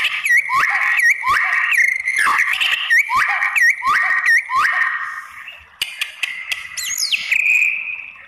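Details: White-rumped shama song meant to stir other shamas to answer: a string of repeated hooked, swooping whistles about every two-thirds of a second, then a pause and a steady whistled phrase.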